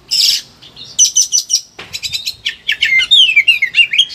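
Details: Excited Oriental magpie-robin pouring out varied material meant as a training lure for other birds: harsh rasping bursts, clipped repeated chips, then sweeping whistled notes tumbling downward in a fast sequence.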